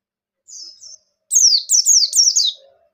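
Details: White-eye song for provoking other white-eyes to sing: a soft thin whistle followed by a strong burst of four quick, high, sharply falling notes.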